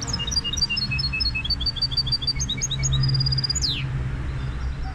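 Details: Goldfinch hybrid singing a rapid string of repeated whistled notes, shifting into a trilled passage and ending in a long downward sweep, over a steady low hum.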